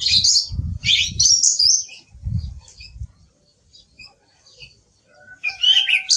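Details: Song thrush, Turdus philomelos, delivering loud high whistled and chattering phrases in the first two seconds, a quiet gap, then a fresh burst of shrill varied notes near the end, over low thuds.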